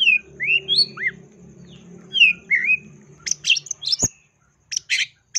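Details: Long-tailed shrike lure song rich in imitations, 2022: rising and falling slurred whistles over a low hum, then harsh scratchy chatter bursts after a sharp click.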